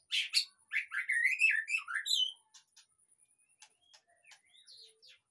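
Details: White-rumped shama song used as a lure to get a quiet caged bird singing: a loud two-second burst of rich, varied whistles and sweeping slurred notes, then faint scattered clicks and short chips.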